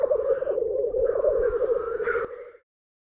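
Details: Lekking black grouse at World's End, North Wales, March 2017, giving a steady low bubbling coo that runs without a break, overlaid by a rising hiss and a sharp sneezing rasp near the end before it stops.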